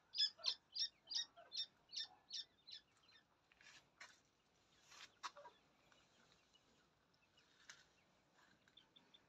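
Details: Playing francolin chicks: a run of about nine sharp, high peeping notes in quick succession that fade, then softer scattered peeps and faint rustling.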